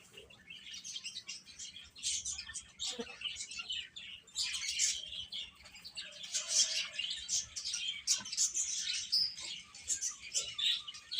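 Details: Chicks eating and playing, starting with scattered thin peeps that build into a busy, continuous chorus of high twittering, with light tapping now and then.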